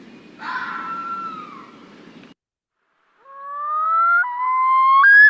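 A Common Loon's yodel: loud, wailing whistled notes that climb in stepped phrases, a call given only by males.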